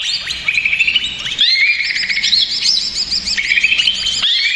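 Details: Agitated male greater green leafbird, recorded as a provoking lure, pours out a fast, loud stream of high whistles, twisting slurs and quick rising sweeps with short breaks between bursts.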